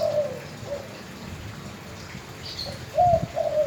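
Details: Spotted dove giving soft, mid-pitched coos, a short phrase at the start and a louder, wavering double coo near the end, with a faint low background hum.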